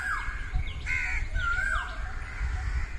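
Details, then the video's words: Early-morning peacocks in a field: a few loud, arching, wailing cries that rise then fall away, with overlapping higher calls behind them and constant low rumbling noise. "early morning peacocks in field"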